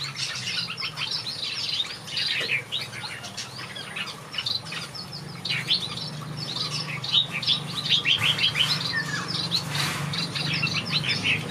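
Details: Chorus of finches in a backyard aviary, continuous high twittering and chirping notes tumbling over one another, with a low hum underneath.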